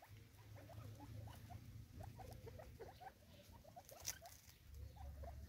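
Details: Six Natal spurfowl in South Africa competing over food, giving soft, short upswept chirps in quick succession over a steady low rumble, with light pecking and scratching patter throughout.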